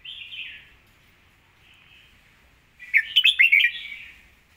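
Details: Red-whiskered bulbul with praised song style and crisp voice: a soft warbled phrase, a faint note, then a loud rapid cluster of bright chirping notes toward the end.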